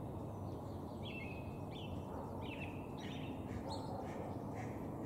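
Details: Northern flicker, a male, giving short whistled downslurred notes in irregular series over steady low background noise, replayed at reduced speed.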